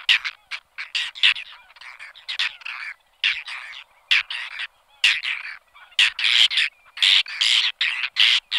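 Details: Whiskered terns calling: harsh, rasping, squawky notes given in rapid irregular bursts, some overlapping, with brief gaps between clusters, growing louder and denser toward the end.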